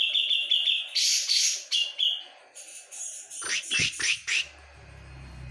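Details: Loud, actively singing Javan brown-cheeked bulbul: a run of quick high chirps, then bright buzzy bursts, followed by a cascade of falling, sweeping notes and a faint low hum underneath.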